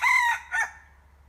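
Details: Decoy red junglefowl rooster giving a short crow: a loud harsh burst followed by a briefer second note, over a faint low hum.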